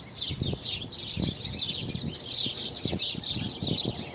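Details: Chirping birds, February 24, 2020: several sharp, repeated high notes stand out over a twittering chorus, with scattered low knocks underneath.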